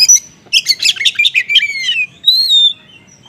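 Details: Short burst of oriental magpie-robin song in the konslet style, used to lure other magpie-robins into answering: a rapid jumble of harsh chattering notes slides down into a falling whistle, then a clear steady whistled note.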